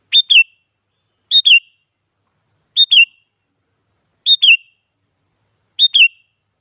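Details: Sooty-headed bulbul lure song to prompt other bulbuls to answer: five identical clear two-note whistled phrases, a high note then a sliding falling one, repeated steadily about every one and a half seconds.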